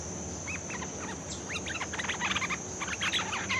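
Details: Bulbul, a newly caught bird in training, gives a rapid run of short, chattering notes that grow louder and denser toward the end, against steady low hum and a constant high electronic tone.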